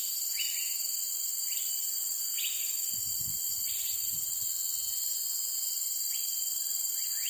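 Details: Cream-vented bulbul, an uncommon resident of forest and forest edges in Singapore: short, thin, rising notes repeated roughly once a second over a steady, loud high insect drone, with a brief low rumble midway.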